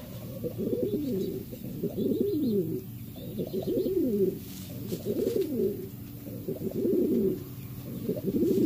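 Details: Cuban Pouter males, territorial and fighting for a nest, give deep burbling coos in bursts of rising and falling notes, about one every one to one and a half seconds, over faint scuffling sounds indoors.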